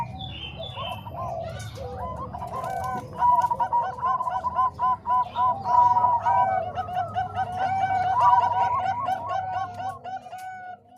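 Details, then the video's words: Training song for doves combining Bangkok and Cemani Kolbuntet zebra dove voices; after a quieter start, dense strings of soft rolling coos repeat steadily, several birds overlapping, fading at the end. "Suara Kombinasi Perkutut Bangkok Dan Cemani Kolbuntet"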